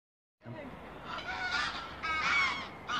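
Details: Canada geese, dozens flying over at dusk as the sky darkens, returning to a nearby lake after a day of grazing elsewhere; overlapping nasal honks build through the three seconds, loudest near the end, with faint background rumble.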